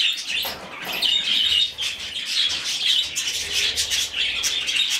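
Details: Rescued young budgerigar being hand-fed, calling in steady, thin, rasping chirps that run together into a continuous high twitter, with soft rustling below.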